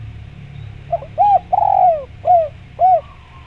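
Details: Spotted dove call played to get other doves calling back: a single phrase of a soft stutter, an arched coo, a drawn-out coo sliding down, and two more short arched coos, over a low rumbling background.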